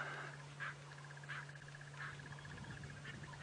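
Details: Lilac-breasted roller in an apple-leaf tree, about to fly off, on a very hot morning sunrise drive, Djuma Game Reserve, 22 October 2016, giving short, harsh rasping bursts about every two-thirds second over engine hum and a thin ticking trill.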